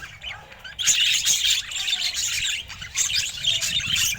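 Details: Budgerigar described as looking especially happy today; busy high chirping and warbling chatter, dense squeaky notes rising and falling in bursts after a short quieter start.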